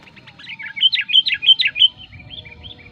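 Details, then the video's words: Sooty-headed bulbul lure song, used to pull in wild birds and to train captive ones: a run of loud, liquid, swooping whistled notes about three per second, fading into softer slurred whistles. "suara pikat burung kutilang gacor ampuh"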